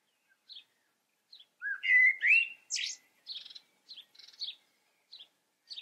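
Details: Blackbird song with rich, low warbling whistles rising in pitch, followed by a scattering of sharp, high chirps and squeaky notes spaced out over several seconds.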